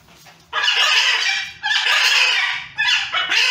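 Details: Harsh squawks from wild macaws during a fight between several birds: three loud rasping screeches, each lasting about a second, separated by short gaps.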